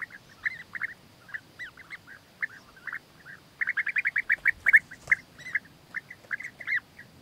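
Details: European bee-eaters, filmed where the male wins the female's favour with food gifts, give short, rolling, liquid notes, several birds overlapping in a quick run of calls that swells in the middle and then thins out.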